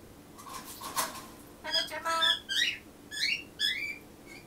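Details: A pet grey parrot indoors, mimicking a family phrase and waiting for the reply; a short low tone, then bursts of harmonic, speech-like syllables with upward-sweeping whistled notes.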